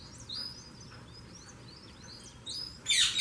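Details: Saffron finch singing: a series of short, high chirped notes that slide and dip, with a louder burst of chirps near the end over a faint steady background hum.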